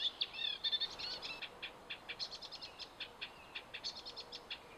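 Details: Eurasian reed warbler on Hammer Pond, Knepp Wildland, opening with a quick burst of whistled and buzzy notes, then slowing into a series of separate dry ticks and chirps spaced under a second apart.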